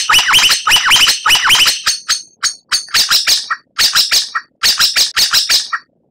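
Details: White-rumped shama song for training captive birds to win contests: fast looping rolled phrases, then spaced groups of buzzy rattling notes with short low tails, each group separated by brief pauses.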